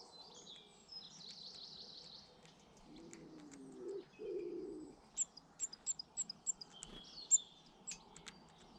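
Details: Garden birds in Britain: a fast high trill early on, then a low soft cooing phrase in the middle, followed by a series of short sharp chirps over a steady background hum.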